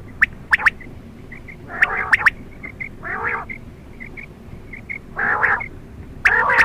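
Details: Night-time quail calls: soft, short high notes scattered between three buzzy, harmonic, purring bursts about a second apart, then a louder rasping burst at the close, with steady low hiss behind.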